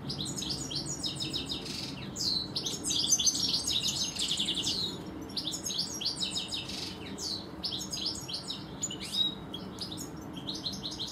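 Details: Two European goldfinches singing in a garden. The song is a fast, dense, high twittering of tinkling notes and buzzy trills that runs almost without pause. A loud burst comes around three seconds in, over a low steady background hum.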